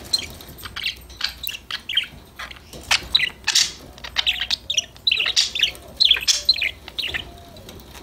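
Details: Several pet budgerigars playing, singing and talking to each other; dense overlapping chirps, short squawks and warbled notes, rapid and irregular, with brief buzzy bursts throughout.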